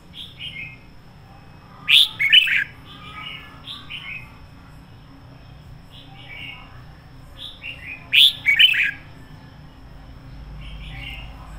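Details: Decoy red-whiskered bulbul giving 'sổ bọng căng lửa' full-throated song. Two loud chattering, warbled phrases about six seconds apart stand out among softer descending slurred notes repeated throughout.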